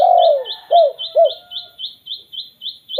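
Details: Spotted dove giving a lure call to make other doves call: a long falling coo and two short coos, while another bird repeats high, thin chirps at a steady pace.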